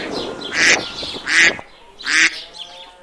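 A domestic duck gives three loud, nasal quacks, each a harsh burst about three-quarters of a second apart.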